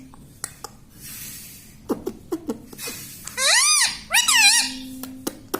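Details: Talking pet parrot, said to repeat words like "mitthu". After soft clicks and breathy noises come two drawn-out arching squawks, rich in overtones, each about half a second long, with faint taps before and after.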